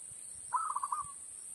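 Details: Zebra dove call played as a trapping lure from an MP3 player: one clear run of quick, rolling coo pulses that trails into a softer tail, with a constant high whine behind.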